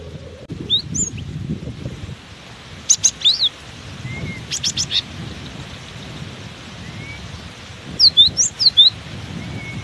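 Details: Cinereous tit singing vigorously despite strong wind: two brief bursts of high, sharp whistled notes, a cluster near the third second and a quicker group of about five notes near the eighth, over a steady low rumble of wind.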